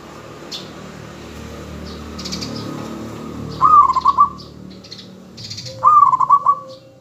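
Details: Zebra dove of local stock, a lure singer meant to draw replies from other doves, gives two short rolling coo phrases of beaded pulsed notes a couple of seconds apart, with faint chirps and clicks around.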